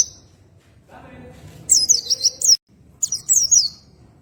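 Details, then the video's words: Oriental white-eye song used for relaxation training: high thin twittering phrases in two bursts with a short pause between, faint low background hum. "PLECI NGROLL TEMBAKAN SANTAI || MASTERAN RELAKSASI PLECI BUNYI"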